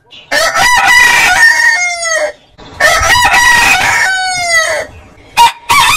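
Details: Crowing rooster heard twice in succession, each crow a rough, rising opening that ends in a long, falling tail, with the start of a third crow at the close.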